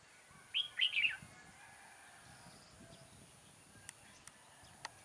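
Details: Red-whiskered bulbul used as a decoy for trapping, recorded 6 October 2018: one short, bright burst of three quick whistled notes, then quiet with a few faint clicks.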